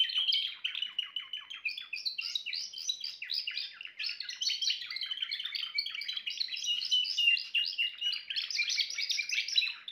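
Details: Song of a Timbrado canary, a long unbroken run of rapid metallic trills and rolling chattering notes, shifting in pitch and tempo throughout, loud and clean.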